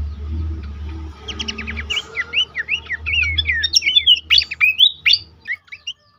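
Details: Horsfield's babbler song, used as a lure recording to get caged birds singing: after a quiet opening, a run of clear slurred whistles near the middle, mixed with quick sharp chips and rising notes, growing louder toward the end.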